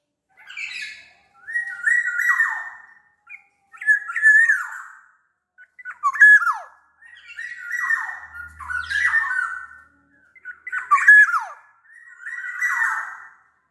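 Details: Sumbawa black-naped oriole, larger than Bali or Java birds, singing to prompt other orioles: mellow fluted whistles with tumbling, downslurred endings, repeated in phrases about every two seconds, with some sharper liquid notes mixed in.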